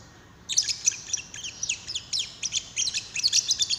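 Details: Lovebird call used to coax another lovebird into song: a sudden rapid chatter of shrill, high chirps and squeaky notes running continuously for over three seconds.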